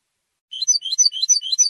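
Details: A European goldfinch sings its territorial song, also meant to attract females. Rapid, liquid twittering of high chirps and short trills starts after half a second of quiet and runs on without a break. No background noise.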